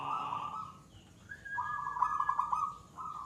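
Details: Gacor song of a local perkutut, or zebra dove, a settled third-stage singer: a quavering coo, a brief higher note, then a long pulsed, rolling phrase and the start of another, with faint ticking sounds.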